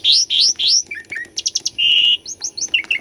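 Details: Singing Asian pied starling serving as a lure for birds that have stopped singing: three loud rising whistled slurs, soft downslurred notes, a rattling burst, one long flat whistle, then quick upward chirps.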